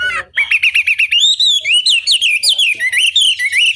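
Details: Chinese hwamei lure song aimed at making rival birds answer: a rapid run of identical short clear whistles, then longer looping whistled phrases that rise and fall in a lively, loud sequence.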